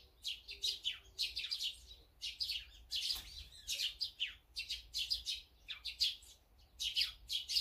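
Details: Busy chatter from birds at food, with azure-winged magpies, sparrows, tits and brown-eared bulbuls present: dense runs of high sharp chirps in quick clusters, almost continuous, one brief dull thud midway.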